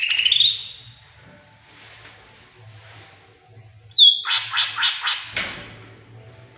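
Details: Greater green leafbird whose song is filled with tengkek buto imitations, used to stimulate birds to sing: a ringing slurred note, a quiet stretch, then a rapid, strident series of chattering notes.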